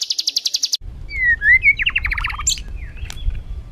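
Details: Rough, agitated white-rumped shama song meant to excite other birds: a fast run of high rattling notes, then slurred whistles and a descending series of rapid notes, ending with a few sharp high calls.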